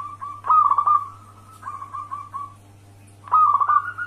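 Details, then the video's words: Zebra dove, a local wild bird, heard as a lure call: steady mid-pitched cooing notes broken by quick stuttering bursts, then a pause and another burst, over a constant low hum. "Pancingan perkutut lokal alam gacor"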